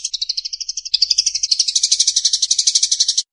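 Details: Eurasian tree sparrow fighting call used to train other songbirds: an unbroken, rapid series of sharp, buzzy high chirps, several per second. It briefly steps up in pitch and grows louder midway, then continues steadily.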